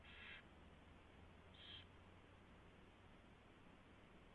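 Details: Owl at a nest during a mouse delivery and feeding, 4:21 AM on 24 February 2016; two short hissy, rasping bursts, the first near the start and a second about 1.5 seconds later, over steady low hum.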